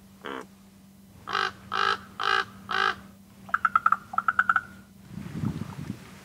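Common Raven gives four harsh, evenly spaced caws, then a quick series of hollow knocking notes, over a steady low hum and a brief rustle.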